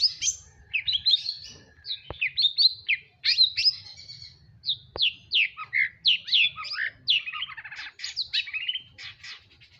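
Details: Madura long-tailed shrike in full song: a lively stream of sharp, high chirps and quick downward slurs, delivered in bursts nearly once a second, with a low hum and two loud clicks in the background.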